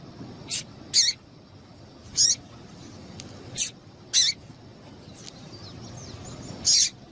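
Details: Female double-collared seedeater, whose call is played to get males singing: six crisp, high, clipped chips at uneven intervals, with soft background noise.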